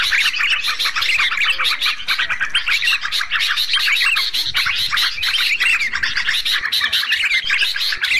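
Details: Sooty-headed bulbul (Pycnonotus aurigaster) lure call for luring wild bulbuls in close: a dense, unbroken chatter of bright, bubbly chirps and short whistled notes, several birds overlapping throughout.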